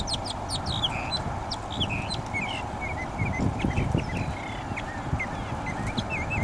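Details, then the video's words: Mockingbird singing a long, varied song of short whistled and chirping phrases, many rising or hooked notes in quick succession, over a steady low rumble of background noise. "The Long Song of the Mockingbird"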